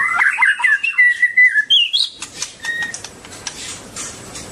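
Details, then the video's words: White-rumped shama (Copsychus malabaricus), dancing and singing, delivers a bright two-second phrase of fluting whistles that rise to a high, pure note, then falls quiet apart from faint ticks and one soft whistle. "White-rumped shama(Copsychus malabaricus): Beautiful Birds,Dancing And Singing Chirping Sounds Great"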